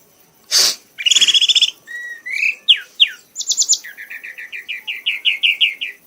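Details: Red-whiskered bulbul, a prize-winning bird, singing until worn out: a sharp burst and a buzzy stuttering trill, then rising slurred whistles ending in a steady run of about twelve quick repeated notes.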